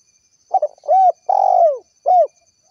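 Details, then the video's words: Spotted dove, locally called tekukur, calling to its companions in the lively kuk 1 style: a stuttered opening note, then three arched coos, the longest drawn out and falling, with a soft faint whine high above. "suara tekukur gacor kuk 1"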